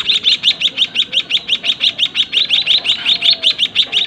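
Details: In a small breeding cage, White-headed munia chicks beg as their parents feed them, with evenly pulsed high chips of the same note, roughly three each second, with no other clear sounds.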